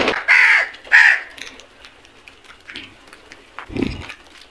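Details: Crows attacking food as a flock, two loud harsh caws in quick succession, followed by fainter calls and a low thump.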